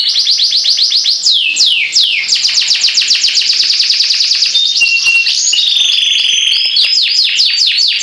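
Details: A caged canary pours out continuous song, rapid repeated notes sliding downward, rolling trills and a few brief clear whistles, loud and unbroken throughout with no other sounds standing out.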